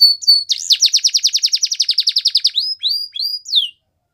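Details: Canary giving a brief whistled note, then a fast even trill of about twenty-five sharp downstrokes, ending with a few rising whistles and one loud falling sweep before silence.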